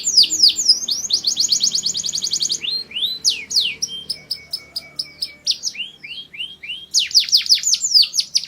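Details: Canary, Mushti song, sung to prepare females for breeding: quick trill, then a stretch of crisp staccato chips mixed with short whistles, ending in renewed rapid sweeps.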